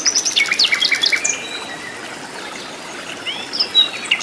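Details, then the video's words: A wild flycatcher in its native habitat sings a rapid string of bright, sharp chirps and downslurred whistles for just over a second, then quieter, thin whistled phrases after a pause. "KICAU BURUNG SIKATAN LONDO GACOR DI ALAM LIAR"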